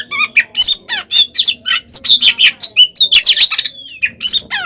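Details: Oriental magpie-robin in full fighting song, used as bait to provoke other birds into answering: loud, rapid varied phrases of whistles, harsh squawky notes and chattering trills, packed closely with short gaps.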